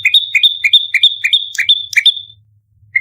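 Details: Bar-winged prinia fighting, lure recording: quick series of doubled notes, a short low chip and then a high held whistle, about eight in a row before trailing off, with one more chip at the end.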